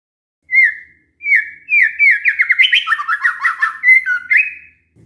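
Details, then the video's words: White-rumped shama song used as a lure to make other shamas reply: opening clear whistles, then a long, quick string of slurred, rising and falling notes, ending on bright whistles. "pancingan murai batu GAK PAKE LAMA, murai langsung nyaut saat dengar ini"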